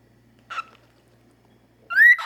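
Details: Pet cockatiel held in its owner's hand indoors, one of two young household birds, a normal pied and an albino; a short buzzy note, then a louder rising whistled chirp with bright harmonics, over a quiet background.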